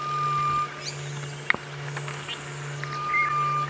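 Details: A grey-headed bush-shrike calling repeatedly on a 7 AM sunrise safari drive on 29 October 2016 gives a long, flat, mournful whistle, repeated after a pause, over a steady low engine hum and a single sharp knock.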